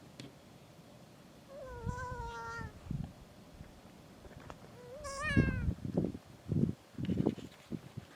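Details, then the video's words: Kea trying to get into some gear: two long, nasal, mewing calls a few seconds apart, the second rising then falling, with knocking and scraping noises from its attempts after the second call. "Kea trying to break into gear, and making funny noises"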